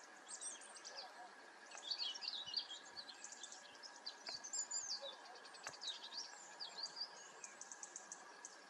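European stonechat giving quick, high, scratchy chirps and twitters in short bursts, over a steady faint hum and other distant bird notes.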